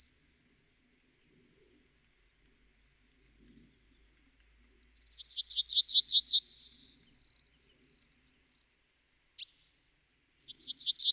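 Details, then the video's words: Yellowhammer song: a quick run of about eight buzzy, high repeated notes ending in a long drawn-out tone, with a thin high slurred note at the start and another phrase beginning at the end; otherwise quiet. "The song of the Yellowhammer"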